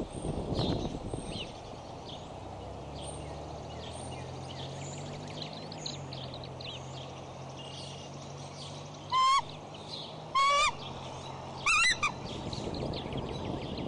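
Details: Scolding calls from a female bald eagle guarding the nest with a chick at Decorah, 15 April 2012, after a disturbance; three sharp, shrill, stacked chattering bursts spaced over a second apart, with wind noise and a low hum beforehand.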